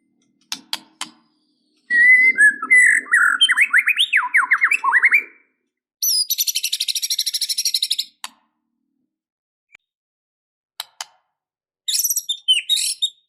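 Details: Fighter-style white-rumped shama song, dense with filler phrases, meant to trigger sudden emotional fighting in a sluggish bird: sharp clicks, a loud run of swooping whistles, a rapid high trill of many pulses, then more chirps.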